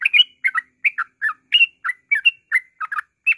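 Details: Yellow-vented bulbul giving 'ngropel' calls, meant to trigger song in other birds: bubbly two-note chirps and brief rising whistles in an uneven quick series, clear and unaccompanied.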